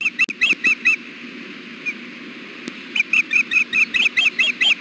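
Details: Female osprey fussing on the nest, apparently wanting to be fed, on a hot 93-degree day: a run of short, high, rising-falling whistled chirps about twice a second, a pause, then the series resumes louder and steady.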